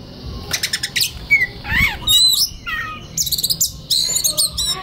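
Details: Relaxed kacer (white-rumped shama) song for training young birds; quick chattering notes, a short whistle, swooping slurred phrases and ringing high chirps, with a soft low background hum.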